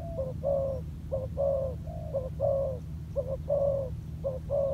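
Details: Spotted dove decoy bird on the ground, cooing in a regular pattern of short notes answered by longer falling coos, about one pair per second, with a low hum behind.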